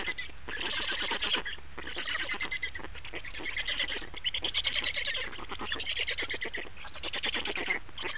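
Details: At an Estonian black stork nest during changeover and feeding, 28 May 2019: harsh, buzzy calls come in long pulsed bursts of about one to two seconds, separated by short gaps.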